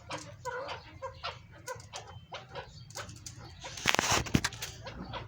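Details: Caged chukar partridges from a breeding pair, uttering a rapid series of short, husky chuck notes for about three seconds before a loud burst of rustling noise.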